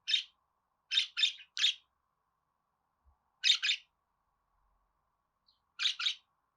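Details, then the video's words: Budgerigar uttering crisp, buzzy chirps in small groups of two or three, separated by silent gaps of a second or more. "Muhabbet Kuşu Ötme Garantili Kuş Sesi,Muhabbet Kuşu Sesi"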